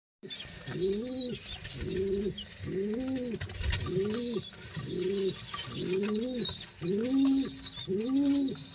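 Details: Two pigeon chicks being fed by a parent; repeated low, arched grunting calls about twice a second, with thin high squeaking above throughout, indoors.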